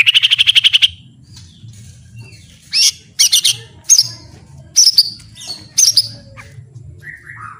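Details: White-rumped shama song for master training: a quick buzzy trill, then widely spaced sharp high notes and a few soft whistles.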